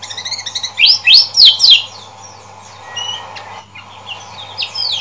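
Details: Lemon-bellied white-eye (Lombok yellow form), recorded 27 June 2020 for use as a lure or training recording, giving rapid, high, bright chirps and arched whistled notes in quick bursts, with a steady low hum beneath.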